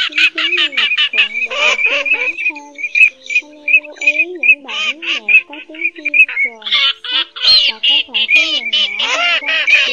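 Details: Terns in an August 2023 lure recording for night net-trapping of migrating birds give harsh, grating squawks and rising, nasal chatter in quick overlapping bursts, as though several birds call together.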